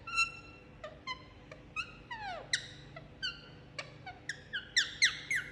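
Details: Indian ringneck parakeet enjoying a head massage, producing irregular short chirps and a descending slurred whistle, then a quickening burst of bright overlapping squeaky notes toward the end; a low steady hum persists.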